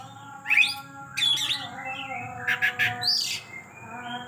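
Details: Oriental magpie-robin pouring out varied song material in an energetic style. Scratchy rising whistles and short bright chirps come in separate bursts, over a faint continuous low hum.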